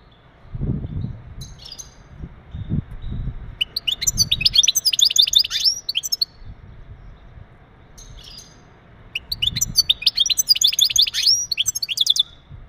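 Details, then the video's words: Male European goldfinch giving mating calls meant to stimulate a female for breeding: two bursts of rapid, tinkling, high twittering notes with liquid trills, separated by a quiet pause, over faint low background rumble. "بتبتات ونداءات التزاوج عند ذكر الحسون فعالة في تجهيز أنثى الحسون"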